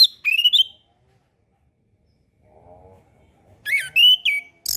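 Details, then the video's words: Orange-headed thrush song used as tutoring for young birds learning to sing: short varied whistled phrases at the start, a faint low hum in the middle, then another loud cluster of sweeping whistles and chirps. "MASTERAN SUARA ANIS KEMBANG KHUSUS UNTUK ANIS KEMBANG BARU BELAJAR BUNYI"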